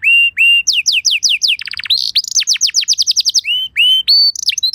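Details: Canary song used as a lure to prompt other canaries to sing: long pure whistled notes near the start and end framing fast descending slurred trills, rapid chattering rolls and buzzy rattles, loud and clean with no other sounds.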